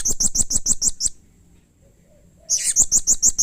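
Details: Blue-crowned hanging parrot in full calling form giving harsh, agitated calls that provoke other hanging parrots to answer: rapid shrill high notes, about seven in one second, then a pause of over a second before another equally fast burst.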